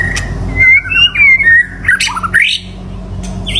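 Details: White-rumped shama singing to call in a mate: a few clear whistled notes followed by a quick rising, scratchy flourish, over faint low background hum.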